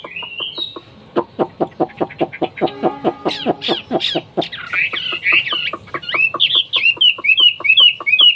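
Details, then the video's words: Hwamei, a bird from China, singing: a run of sharp dry clicks repeated rapidly gives way to loud, varied whistled phrases that rise and fall, with quick slurred notes in close succession. "BURUNG WAMBIE SUARA BERKELAS MEWAH"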